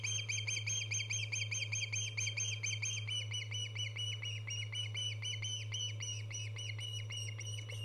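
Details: An Osprey at its nest, recorded by a live camera on 24 August 2014, calling in a rapid string of piercing, slurred chirps that gradually spread out slightly, with a continuous low mechanical hum throughout.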